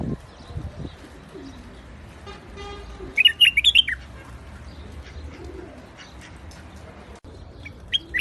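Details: A White-eared bulbul in a rooftop garden gives a short burst of four or five liquid, bubbling whistled notes, then a single brief note later, over faint background hum.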